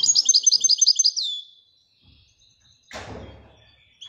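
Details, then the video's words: European goldfinch, named as royal goldfinch, gives a quick run of high, liquid twittering notes ending in a drawn-out note; a loud thud like a door follows after a quiet stretch. "Le twitter et chardonneret royalتغريد طائر الحسون الملكي"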